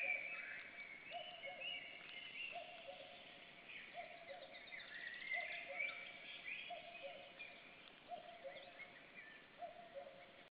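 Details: Common cuckoo, unseen, calling in an Estonian forest near a black stork nest on 7 May 2013: a clear two-note cu-coo, the second note lower, repeated about every one and a half seconds, with other birds chirping faintly higher up.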